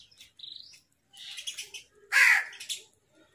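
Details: Crows squabbling over food with a fight call: a thin rising whistle and soft chatter, then one loud, hoarse, grating caw, followed by quieter chirps.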